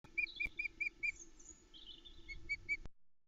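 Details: Female osprey at a nest with eggs at Loch Arkaig, 27 May 2020, on a nest camera, calling to her mate as she sends him off fishing: clear, short piping whistles in a quick series, a pause, then three more, over a faint low hum.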